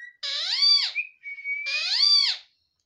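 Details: Pet ringneck parrot talking: two harmonic, word-like phrases, each rising then falling, joined by a thin steady whistle between them, in a quiet room.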